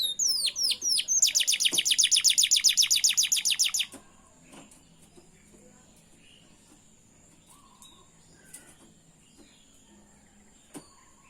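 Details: Canary song used to encourage canaries to learn singing: a few quick falling whistles lead into a rapid, very regular bright trill for about three seconds, then quiet with faint background sounds.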